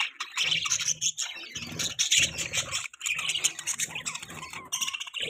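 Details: Budgies chirping during mating, with busy high twittering and squeaky warbles over low rumbling background noise that pulses at intervals.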